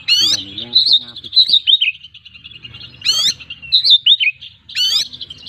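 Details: Oriental magpie-robin in steady full-repertoire singing: fluttering whistled trills and warbled slurs interrupted roughly every one to two seconds by loud scratchy rasping bursts, with faint low background hum.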